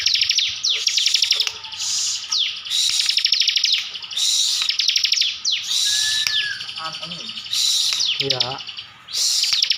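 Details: Bar-winged prinia from Slawi in Central Java, a kept singer in 'gacor full tembakan' form, pours out repeated high chattering trill bursts about every two seconds, with a brief curved whistle and a short lower rattle near the end.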